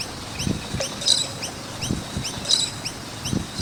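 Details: Chirping noisy miners near a skate park: thin rising chirps repeat in a loose rhythm, with two sharper, denser bursts, set against scattered low thumps.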